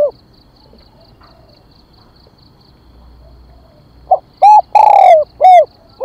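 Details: Spotted dove decoy calling to draw wild birds: quiet at first, then a phrase of four hollow coos with a long falling middle note. Faint high ticking is heard throughout.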